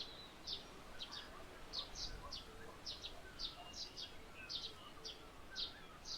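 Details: A Slaty-headed Parakeet in soft morning light, perched on a tall sunflower eating its seeds, gives sharp, high, squeaky notes, roughly two per second, in an uneven run over faint hiss.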